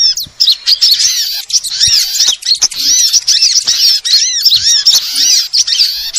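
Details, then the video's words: Sunbird calls played to lure birds: steady stream of high, squeaky chirps and arched whistled notes, packed tightly and repeated, with occasional brief dips between bursts. "suara pikat semua jenis burung kolibri paling ampuh"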